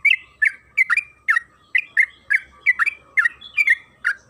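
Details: Trucukan kebo, the yellow-vented bulbul, in 'ropel panjang' style singing meant to lure birds into song: bright, clipped chirps with slurred tails, coming in quick pairs and singles roughly every half second.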